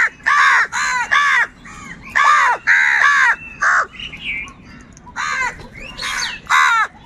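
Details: Angry crows calling continuously and loudly while fighting for food: harsh, hoarse caws in quick bursts of two or three, about ten calls in seven seconds, with softer chirps from other birds between them.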